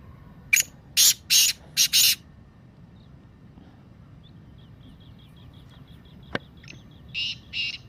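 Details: Black francolin (kala teetar) call played to stimulate captive birds to call: five harsh, grating broadband bursts in quick succession, then faint high notes, a sharp click and two shorter rasping bursts near the end.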